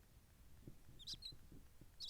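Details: A barn owl chick just a few days old, nesting in a polyurethane barrel in an industrial warehouse beside an unhatched sibling, gives a few thin, high squeaky chitters in two brief bursts over soft low thumps and handling noise.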